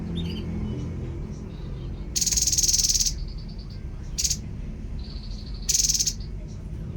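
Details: Tepus babbler voice: a long harsh rasping burst of nearly a second, a short sharp note, then another grating rasp, separated by quiet high whistled trills, with low background rumble.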